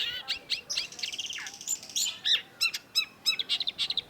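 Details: A Long-tailed shrike (Lanius schach) sings as a lure song, a rapid, scratchy run of varied chirps, slurred whistles and short buzzy notes, several per second, with no other sounds.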